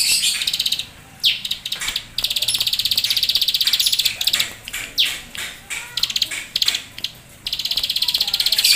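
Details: Bar-winged prinia singing vigorously in the keteran style: long, fast, high-pitched buzzy trills broken by sharp, downward-sweeping chip notes, with the trilling resuming strongly at the end.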